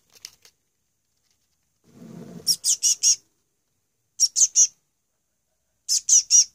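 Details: During a feeding on his second day in care, a young male chick calls in three bursts of sharp, high, closely spaced chirps. The first burst follows a low rustling scrape, and each burst is set off by short silences.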